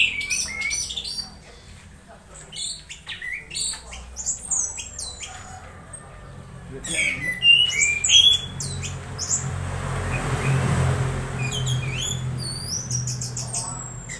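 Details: Anis merah (orange-headed thrush) producing strange sounds while conditioned, used to lure other birds into singing during misting; bursts of sharp high chirps and squeaks separated by gaps, with a hissing, rumbling background midway.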